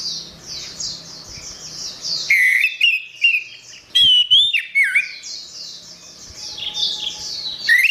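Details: Orange-headed thrush song used for tutoring cage songbirds. It opens with a soft, high, rippling chatter. Then come loud whistled phrases: slurred, falling and rising notes with crisp clicks, broken by short pauses before the chatter returns.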